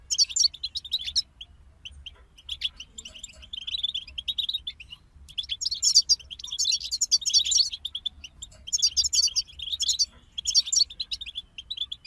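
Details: European goldfinches in a group, singing long bright twittering runs of quick high notes mixed with buzzy trills, broken by brief gaps before the chatter resumes.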